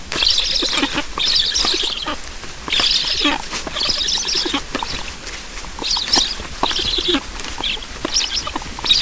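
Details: Feeding at a black stork nest in Estonia, 9 July 2019, 7:15. Short, separate hissing bursts, each about half a second long, come in quick succession with brief silences between them.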